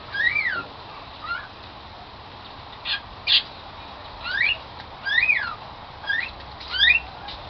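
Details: Pet cockatiel that sings "Song of the Garden", uttering a string of brief, sharp chirps and squawks, some falling and some rising, spaced irregularly through the recording.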